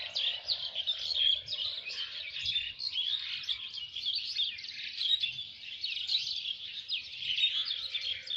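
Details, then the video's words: Countryside birds of rural Lalmonirhat, village and fields, in a dense chorus of high twittering chirps and quick tweets, many voices overlapping continuously in pulsing waves, with faint low background hum. "পাখির গান"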